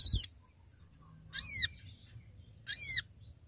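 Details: Sooty-headed bulbul calling companions as a lure for trapping: three harsh, downslurred, slightly buzzy notes spaced about 1.3 seconds apart over a quiet background.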